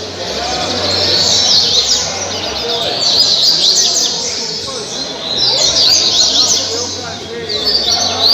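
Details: Three separate bursts of caribe song from a double-collared seedeater at Angra dos Reis, Brazil: each a dense high rattle of rapid slurred notes, separated by quieter gaps, with steady hiss.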